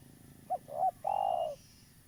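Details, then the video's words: A lively local spotted dove used as a lure for trapping utters two brief clipped coos followed by one long, even, slightly falling coo, low and hollow over a quiet hiss. "Tekukur lokal gacor , cocok untuk pancingan"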